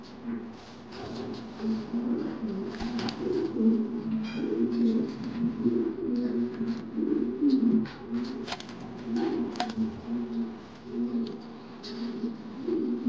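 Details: Angry male Modena king pigeon, a domestic fancy breed kept on a pigeon farm, cooing in low, throaty rolling phrases repeated steadily for over ten seconds, with faint clicks and rustles in a small indoor space.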